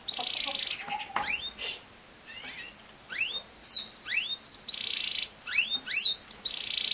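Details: Canary singing meant to teach a young male canary: fast upward-sweeping whistled notes repeated in bursts, a low flat whistle, and loud buzzy rolls at the start and near the end.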